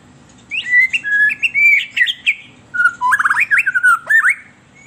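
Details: White-rumped shama song used as a lure for captive birds: a continuous stream of clear whistled phrases shifting in pitch, followed by a faster series of slurred, trilled notes ending in an upward whistle.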